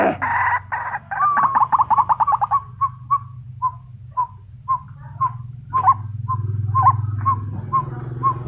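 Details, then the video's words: Female white-breasted waterhen calling to males: a rapid burst of clipped mid-pitched notes, then single sharp notes spaced about every half second over a steady low hum. "นกกวักตัวเมีย ร้องเรียกตัวผู้ ร้องดีเสียงชัด"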